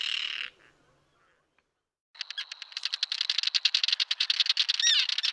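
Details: Small common tern colony with chicks on a concrete block near the Liepāja mole, Latvia, June 2024, Nikon Coolpix P1000; a short harsh call, a pause, then a rapid run of sharp clipped notes, nearly four per second.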